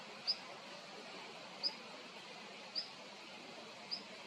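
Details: Long-tailed rosefinch uttering four short, thin, high-pitched call notes at intervals of over a second, faint over even background noise.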